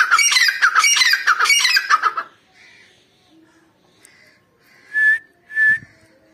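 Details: Female grey francolin (teetar) calling on 29 November 2022: about two seconds of loud, grating notes repeated in quick succession, a quiet gap with faint sounds, then two short pure whistled notes.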